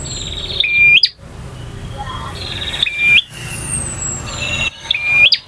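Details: Varied song of a male bar-winged prinia in the ngotot, ngalun and kristal styles: slow phrases of buzzy trill followed by a level whistle that flicks sharply upward, three times over the clip.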